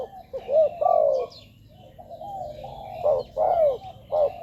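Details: Spotted dove cooing as a lure for wild doves: low mellow coos with a short note before each drawn-out, falling phrase, given in two bursts separated by a quiet pause.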